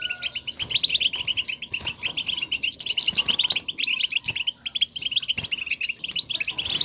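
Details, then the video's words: European goldfinch contact calls, betbeta and setseta, by which the birds call one another and signal their presence: busy streams of sharp, high chirps and tinkling notes, closely packed and overlapping without pause. "بتبتة وستستة, لمساعدة الحسون على التغريد"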